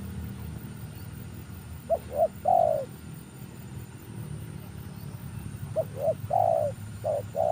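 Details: Spotted dove coo for luring, heard at moderate distance: two phrases of short quick coos ending in a longer, falling note, separated by a few seconds of low rumbling background.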